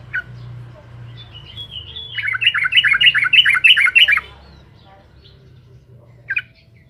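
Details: Yellow-vented bulbul in full song, meant to provoke rival birds: a faint note, then a burst of about ten loud bubbly, chattering notes over two seconds, and a short final note after a pause. A low hum runs underneath.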